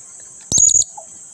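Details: A blue-crowned hanging parrot calling actively as a lure to stir lazy companions into calling gives one quick burst of three or four shrill, very high squeaky notes, over a steady high hiss.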